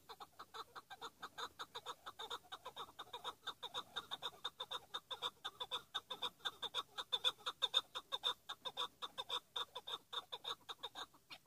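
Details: Chukar partridge, a kept hunting decoy bird of the hıngırmacı type, giving a long run of rapid repeated chuck notes, about two per second, steady and unbroken for over eleven seconds.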